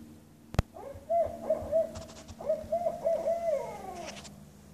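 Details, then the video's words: A barred owl gives two rhythmic runs of mid-pitched, wavering hoots, with the last note trailing downward; a sharp click sounds just before. "Barred owl call"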